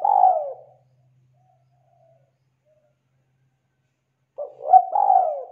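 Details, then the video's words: Tekukur, the spotted dove, singing as a lure for silent birds; one drawn-out falling coo at the start, a long silence, then a short stuttered note and a rolling two-part coo close the segment. "Tekukur Gacor untuk Pancingan burung macet bunyi!!"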